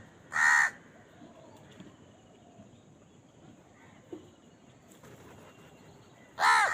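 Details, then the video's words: A crow feeding gives two short, harsh caws several seconds apart, one at the start and one at the end, with faint distant bird calls and low background noise between them. "Crow Bird Eating Scenes and Crowing Sound"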